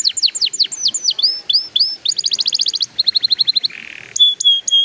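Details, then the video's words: Song of a canary, played to encourage young canaries to sing early: swooping falling notes repeated about four per second, then rapid trills, a brief harsh buzzy section and high clipped notes. "PANCINGAN KENARI PAUD SUPAYA CEPAT BUNYI PALING AMPUH"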